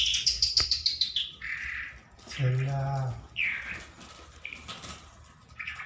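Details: Trained lark, hand-tame and singing in the open, pours out high warbled and buzzy phrases while a brief human voice sounds in the middle.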